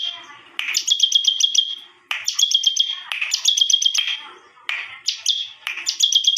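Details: Unusual song of a bar-winged prinia: five phrases, each starting with a rough burst, then quick rattling clicks about four per second over a level high whistle, divided by short silences.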